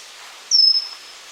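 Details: Single thin, high whistled note from a pygmy wren-babbler (Pnoepyga pusilla), starting sharply and trailing slightly downward for about half a second against soft background noise.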